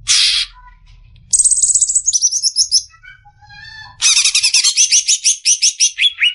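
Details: Cucak ijo (Greater green leafbird) singing 'besetan' style for caged-bird training: a harsh rasp, then high rapid trills, a few soft notes, and a long buzzy run of repeated notes falling in pitch.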